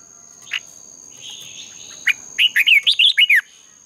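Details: Red-whiskered bulbul singing competitively as a dawn training lure: two isolated sharp notes and a soft buzzy note, then a lively run of about seven rolling, down-slurred whistles, over a constant thin high tone.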